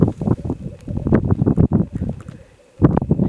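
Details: Black grouse in mid-Wales, undisclosed site, 17 February 2018, very early and gloomy; dense, loud runs of deep, throaty bursts over a faint bubbling hum, a brief pause, then the bursts resume.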